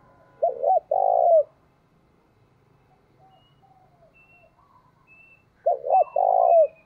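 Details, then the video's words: Decoy spotted dove calling wild doves in: two loud coo phrases about five seconds apart, each two short hooked notes then a long low coo, with faint soft cooing between them. "Chim Cu Mồi Thúc Bổi Nghe nó đã mà mở lên bổi và mồi còn gáy theo nữa"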